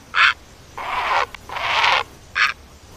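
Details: Great egret: a short sharp note, two long hoarse rasping croaks, then another brief clipped note.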